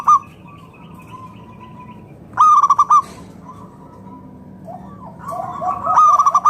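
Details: Local zebra dove song meant to draw other doves into calling: brief rapid pulsed coo bursts at the start, middle and end, separated by long quiet stretches holding only a faint, thin steady tone.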